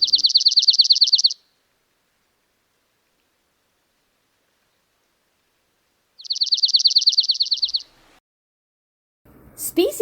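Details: Dark-eyed Junco, an early spring migrant arriving in large numbers in southeast Saskatchewan and southwest Manitoba in April–May, gives two dry, even, high trills of rapid notes, each about 1.5 seconds, before a voice speaks.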